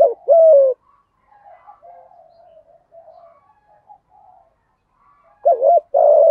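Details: Spotted dove lure bird with 'giọng thổ' voice, kept to provoke wild doves: one falling coo opens, a long stretch of soft quiet murmuring follows, then a clipped double note and sustained coo close.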